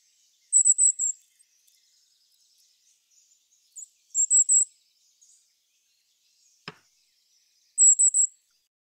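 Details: Golden-crowned Kinglet in winter, a bird of dense conifer stands, giving its very high, thin 'see-see-see' call in tight runs of three, each run about three and a half seconds apart, with a single soft tick between.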